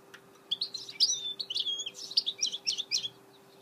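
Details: A goldfinch mule delivers a lively twittering phrase of bright, rapid chirps and sliding whistled notes, starting after half a second of quiet and running nearly to the end, with a faint steady hum behind.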